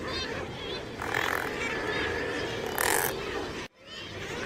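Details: Razorbill calling amid a noisy background: harsh, growling bursts with stacked tones rise out of a steady rushing din, sounding about twice in four seconds before a sudden brief cut.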